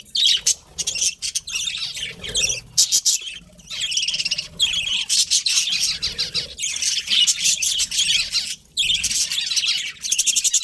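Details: Pet budgies warble almost without pause, layered buzzy chirps and bright squeaks forming a continuous chatter across the whole stretch.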